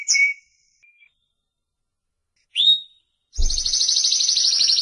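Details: Spanish Timbrado canary giving a few brief high whistled notes separated by silence, then breaking into a loud, sustained, rapid rattling trill that runs on without pause to the end.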